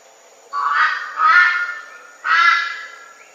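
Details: Red-billed Brush-turkey, a shy bird more often heard than seen, giving its loud, raucous three-note call: two harsh notes close together, the first lower, then a gap before the third.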